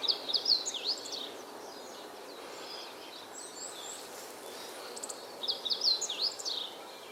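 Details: Meadow bunting singing on 19 April 2022 at Yosano, Japan: two brisk phrases of high, jumbled twittering notes about five seconds apart, with steady soft background hiss between them.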